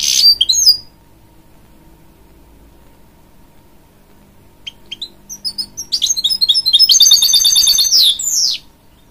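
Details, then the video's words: Hybrid goldfinch singing to encourage young chicks: a brief high burst, a long silence, then an accelerating run of sharp chirps into a dense, fast, buzzy trill. "A Hybrid Goldfinch Sings To Encourage Young Chicks"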